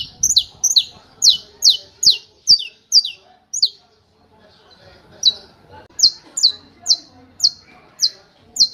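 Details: Saffron finch hammer-style song, a quick burst of bright descending high notes, a short silence, then another evenly spaced run of similar sharp notes.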